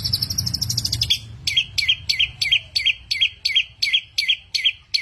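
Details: A versatile mimic bird ends a high buzzy trill, then repeats a sharp, bouncing two-part whistled phrase about every third of a second, steady and emphatic.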